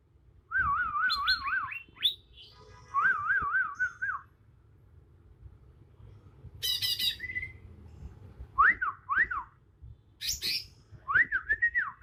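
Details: Young wild Bornean green magpie, still moulting from juvenile to adult with black spots appearing on head and neck, giving its natural song: wavering trilled whistles near mid pitch, sharp high buzzy notes and short downslurred chips, with pauses.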